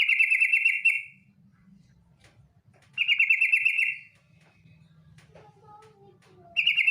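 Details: Female yellow-vented bulbul 'ngetir' lure call for prompting bulbuls to sing: three evenly spaced harsh buzzy rattles about three seconds apart, a few quiet lower notes between, faint low background noise.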